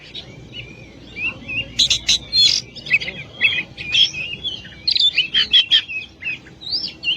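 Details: Vigorous oriental magpie-robin singing a long tutor song: a varied stream of sweet whistles, quick slurs and sharp chirps delivered in busy, irregular phrases with short pauses between bursts.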